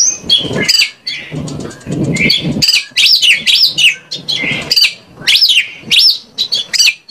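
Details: Oriental magpie-robin song as a lure to make another bird sing: fast chattering notes open into a run of loud, repeated whistled slurs, dense and varied throughout.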